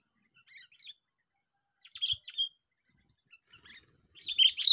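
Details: Sooty-headed bulbul, lured bird, giving scattered short chirps and a clear slurred whistled phrase, with sparse notes followed by a loud, busy chattering burst at the close.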